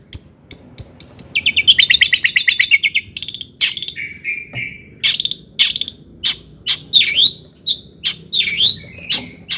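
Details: Excited long-tailed shrike song meant to provoke rival shrikes: spaced high ticks, then a fast buzzy rattle, and a series of varied twisting chirps and squeaky notes spaced about half a second apart.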